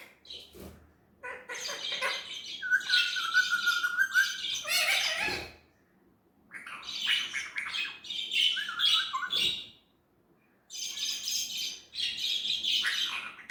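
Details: Talking Indian ringneck parrot in its own natural voice, delivering three long bouts of busy, raspy chatter with steady tonal stretches and brief whistled slides, separated by short quiet gaps.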